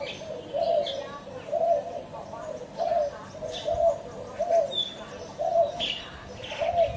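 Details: A spotted dove coos in a regular series of seven or eight low, mellow notes, accompanied by occasional thin high chirps and whistles from other birds.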